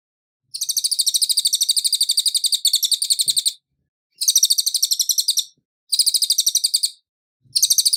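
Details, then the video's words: Master recording of a cililin singing, meant for teaching songbirds: rapid, very high rattling trills of crisp repeated notes in bursts lasting one to two seconds, paused briefly between phrases, against a silent background. "CILILIN Suara Asli Jernih"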